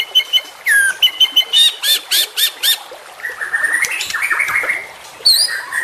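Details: White-rumped shama juvenile, a champion young bird, singing for training captive shamas: a series of loud, evenly spaced, harsh chattering notes, then a softer warbling stretch and a final sharp, bright whistle.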